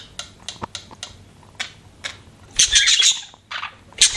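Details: Budgerigars: scattered sharp clicks and ticks at first, then loud bursts of harsh, high squawky chatter toward the end.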